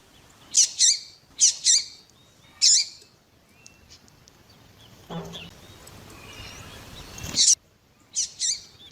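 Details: Double-collared seedeater (coleiro tui tui) male and calling female, played to strengthen captive males' song: paired high, sharp chirps repeated in quick bursts, interrupted midway by a low rustling thump and broad noise, then more paired chirps.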